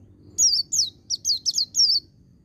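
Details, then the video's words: White-eye song in the ngecir sambung ngalas style, used to train young captive birds: six bright, high whistled notes, each sliding sharply downward, given in a quick burst over about a second and a half, with faint low background rumble. "Suara Burung Pleci Ngecir Sambung Ngalas 1234 Ketukan"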